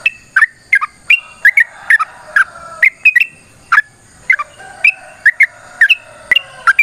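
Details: Yellow-vented bulbul giving a long, rapid fighting song used as a lure to provoke other bulbuls into singing: loud bubbly, warbled notes in short bursts, repeated roughly every half second, with brief pauses between phrases.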